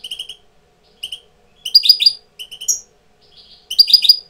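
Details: European goldfinch tutor coming into breeding condition: soft rolling trilled notes, then louder tumbling twittering bursts mixed with a brief nasal buzz, in quiet surroundings.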